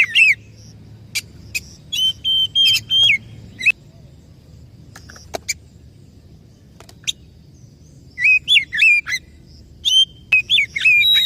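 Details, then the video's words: Oriental magpie-robin lure song meant to start a silent or stressed bird singing: scattered short whistled phrases and sharp clicks, a long quiet gap mid-way, then a burst of warbled, down-sliding whistles. "SUARA PANCINGAN _burung kacer macet bunyi / stres"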